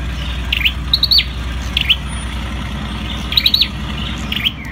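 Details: Ashy tailorbird (Orthotomus sepium) singing: clusters of short, bright, sharp chirped notes given in quick bursts of two to four, spaced irregularly about a second apart, over a steady low hum of passing traffic.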